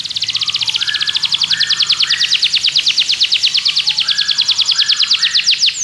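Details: Belgian canary singing to encourage other canaries to sing: long fast trills of high repeated notes between 3 and 7 thousand cycles, with soft lower chirps beneath, then slower swooping notes at the end.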